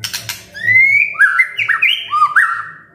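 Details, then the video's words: Rich fluting phrases from a white-rumped shama singing a song full of fill-in phrases, kretekan and tembakan style: a rising whistle followed by quick looping, overlapping whistled notes after a few sharp clicks. "KRETEKAN DAN TEMBAKAN murai batu full isian"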